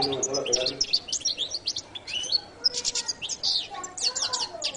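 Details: Lively jilguero latino goldfinch song, second part, with continuous busy high twittering, buzzy trilled phrases and quick chirps running without a break.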